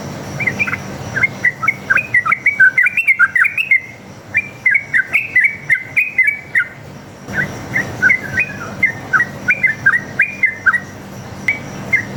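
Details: Extended rapid fighting song from a sooty-headed bulbul, played so other bulbuls reply: busy strings of chirping whistles in long phrases separated by brief pauses, over soft background hiss.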